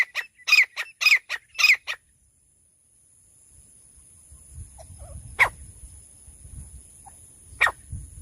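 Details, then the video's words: Female francolin calling, recorded for hunting in bushland: a fast burst of six harsh, grating notes in under two seconds, then quiet, then two more single rasping notes, all over a constant high-pitched whine. "झाड़ी में रहने वालों तीतर शिकार करने की साउंड। Sounds of bush dwellers hunting pheasants. Francolin"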